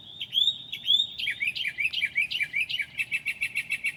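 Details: Night singing by a northern mockingbird at 2 a.m., 7/9/2008, imitating other birds: a few clear whistled upslurs give way to a rapid, varied chatter of chirpy notes that speeds into a steady stutter.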